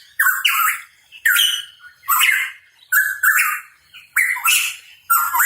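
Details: Hooded pitohui (cucak rawa papua) in lively song: a loud phrase about once a second, each a whistled note blended with a harsh, rasping burst, repeated five times.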